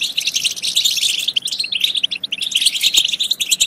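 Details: Goldfinch song for encouraging goldfinches to sing and breed, delivered as a continuous, busy jumble of high, tinkling chirps and trills.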